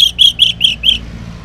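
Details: Orange-headed thrush singing in the morning as a lure for mute males; five buzzy, rasping notes repeated about every quarter second, then silence.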